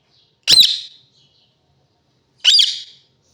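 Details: Parrot giving two harsh, rasping squawks about two seconds apart, each short and high with a quick fading tail, in a quiet room.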